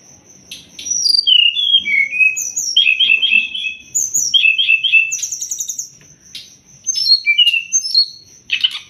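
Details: Sumatran leafbird master song for training songbirds: clear downslurred whistles and quick repeated slurred notes in short groups, separated by brief pauses, above a steady high tone.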